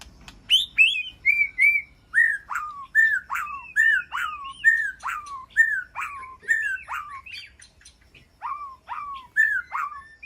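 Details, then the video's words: White-rumped shama communicating with its flock in an aviary, repeating a clear two-part whistle that drops steeply in pitch, roughly every half second, with a short pause before the series resumes. "Sound of White-rumped Shama Call to Flock"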